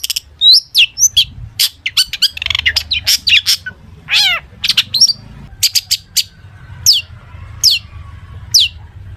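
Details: Long-tailed shrike in rich 'full isian' song meant to prompt other shrikes: jumbled high chips and squeaks, a steeply falling whistled slur, then several sharp descending whistles spaced about a second apart, over a low hum.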